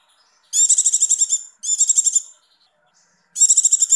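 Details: Female Javan white-eye in breeding condition giving the ngecir 'icir icir' call, used as a lure for males: three very high, rapid buzzy trill bursts, each about a second long, separated by short silences.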